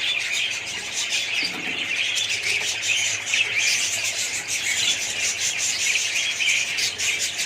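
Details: Budgerigar colony chattering: dense, overlapping high chirps and warbles from many birds, continuous throughout with brief squawks.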